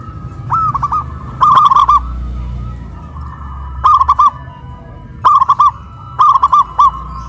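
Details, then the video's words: Local zebra dove, caged and raised high on a pole in Kuningan, West Java, Indonesia, cooing loudly: bursts of quick bubbling, rolling coos, in four groups spaced one to one and a half seconds apart over a steady low hum. "PERKUTUT LOKAL SUARA BESAR VS SUARA KRISTAL"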